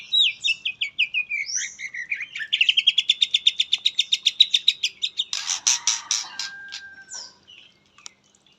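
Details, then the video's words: Indonesian white-rumped shama, katem fill in its song: varied whistles leading into a fast, regular chattering run of about three or four notes a second, then harsh buzzy bursts before falling quiet. "muray pastol isian katem"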